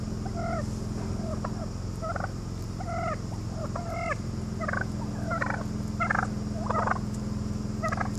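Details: Assertive wild turkeys on Gardner Road, Brookline, Massachusetts, around 07:38 on 26 August 2013: rapid run of harsh, rattling gobble-like notes, bursts under a second apart, over a steady low engine-like hum.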